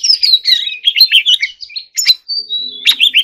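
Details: Short burst of white-rumped shama song, sung as in bird contests: slurred descending whistles and quick warbled notes, then a long pure steady whistle and a final sharp flourish.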